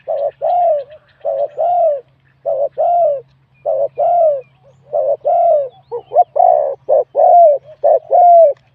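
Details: Spotted dove, a wild bird with a medium-to-large voice, singing in a competition. It gives a long run of double coos, each a short note plus a drawn-out mellow coo. Toward the end they become quicker and choppier.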